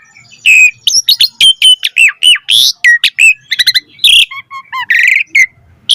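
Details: Asian pied starling in full varied song, used as a master recording for training other starlings: loud, fast run of mixed whistles, harsh squawks, rising and falling slurs and clipped chatter, with no other sounds.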